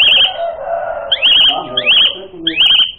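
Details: Asian pied starling, recording meant as a lure to provoke fighting: four repeated phrases, each a rising sweep into a wavering, warbled whistle, about one every 0.7 seconds, over a lower murmuring background.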